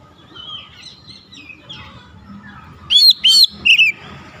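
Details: Oriental magpie-robin, stirred up by a rival, singing: soft, distant-sounding warbles at first, then three or four sudden loud, piercing whistled phrases with sweeping slurs near the end, over a low murmur.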